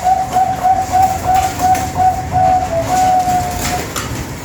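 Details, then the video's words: Bangkok-type zebra dove used as a lure to train contest doves' singing and nerve: a fast run of soft, mellow coos on one steady pitch, about three per second, with faint background hum. "PANCINGAN PERKUTUT BANGKOK MELATIH BUNYI"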